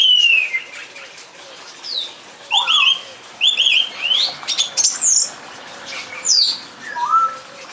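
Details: Song thrush repeating a sharp doubled phrase twice, then several rising and falling whistles, with a soft low tone in the background.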